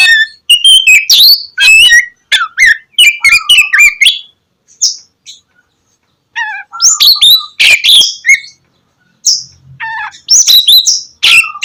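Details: Oriental magpie-robin in loud, lively song used to prompt reluctant birds to sing in the morning: varied whistled phrases, sharp sweeping notes and rich warbles in bursts separated by short pauses.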